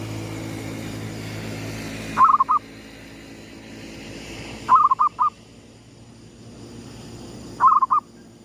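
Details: Sunrise cooing of a lure zebra dove in the gedong mengo style: three short rolling phrases of three or four bubbling notes, spaced two to three seconds apart, over low background rumble.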